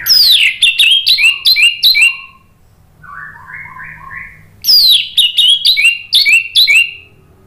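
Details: A singing orange-headed thrush in ngeplong style, played as a lure to trigger singing: two bursts of rapid, loud, descending whistled notes, each repeated about five times, separated by a soft, lower warble.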